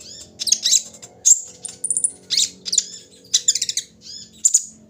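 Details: Kolibri ninja sunbird singing while set out in the morning dew: rapid high, thin chirps and sharp twittering bursts in short phrases, over a faint low background hum.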